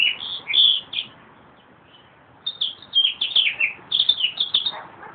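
A meadowlark sings two bursts of bright, fluty, gurgling notes, the second phrase longer and tumbling, with a short quiet pause between.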